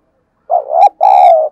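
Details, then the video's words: Spotted dove used as a decoy for wild doves, uttering two loud close-up coos: a wavering note rising then breaking, followed by a longer steady hollow coo. "Chim Cu Mồi/ cu gay kich boi hieu qua nhanh noi gù"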